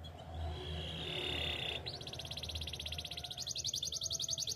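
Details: Spanish timbrado canary heard for training, a low rumbling background and a soft held tone at first, then a sharp fast rattling trill and a higher rolling trill that grows louder.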